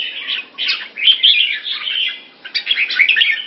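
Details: Red-whiskered bulbul in molt, recorded in Singapore on 4 June 2017, giving a dense, chattering warble of quick bubbly notes in two bursts separated by a short pause. The background is quiet.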